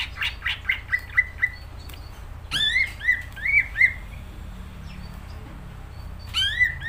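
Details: Greater green leafbird in lively full song: a run of quick whistled notes near the same pitch, then sweeping slurred phrases with rising and falling whistles, with a steady low hum underneath.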